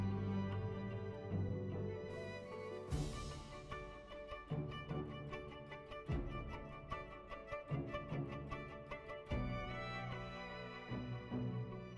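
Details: Orchestral music with bowed strings and deep low tones plays throughout, with no animal sounds.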